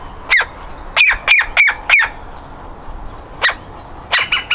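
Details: Nestling woodpecker desperate to leave its nest hole: a quick run of five loud, grating squawks, then a quieter gap and a final cluster of shorter notes.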